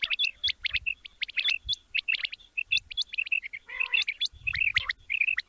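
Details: Quail (batair), described as a male, calling in a recording meant for morning hunting: short bright chirping notes in quick clusters, repeated steadily, with a few harsher buzzy notes and faint low thumps.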